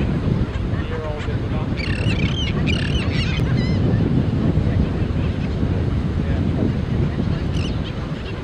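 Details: Black skimmer chicks calling in the colony: a burst of harsh, wavering barks early on, then quieter scattered notes, with strong wind buffeting throughout.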